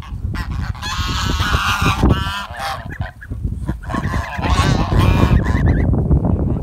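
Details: A flock of geese rushes and flaps to get dinner, giving loud, braying, overlapping honks in quick irregular bursts, with a brief lull near the middle, all over constant low thumping from feet and wings.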